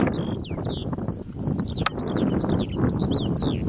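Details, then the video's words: Skylark singing at Adderstonlee, near Hawick: a lively sequence of looping, slurred whistles and quick chirps, continuous throughout, against heavy wind buffeting and one sharp click. "Skylark at Adderstonlee"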